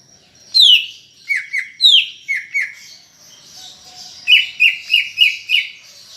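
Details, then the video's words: Varied 'gacor' song of a greater green leafbird: high descending whistles mixed with lower paired slurs, then a quick rhythmic run of five mid-pitched downward notes. "Ocehan Cucak Ijo Gacor untuk Pancingan Bunyi"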